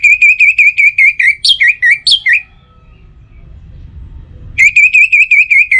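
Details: Orange-headed thrush song used to draw other birds into singing in the morning and evening: a steady series of loud, evenly spaced whistled notes, a few higher twisting notes, a pause, then the series resumes.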